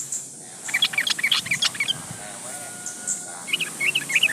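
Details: Yellow-vented bulbul in full song, calling a rival, used as a lure to make other bulbuls sing: bursts of bubbly, rapid chattering notes, then a short pause and a second chattering phrase.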